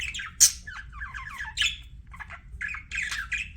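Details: Budgie chattering indoors: quick warbled chirps and squeaky trills, including a brief run of rapid descending notes and a few harsher squawks, all high-pitched and continuous.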